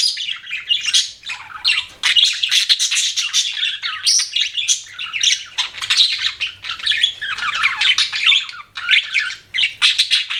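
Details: Pet budgerigars chirping and warbling continuously, a dense scratchy chatter with sharp clicks and occasional rising whistles.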